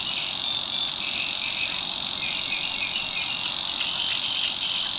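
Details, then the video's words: A male Savi's warbler at Tancat de l'Illa, l'Albufera marsh, Spain, back from Africa for the breeding season from March on, reels without a break: a fast, even, insect-like buzz on one mid-high pitch, with faint chips from other birds. "BUSCARLA UNICOLOR"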